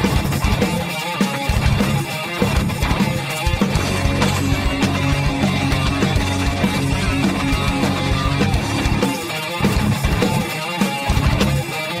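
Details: Loud distorted electric guitar rock music with heavy drums fills the whole recording, and no animal sound can be picked out.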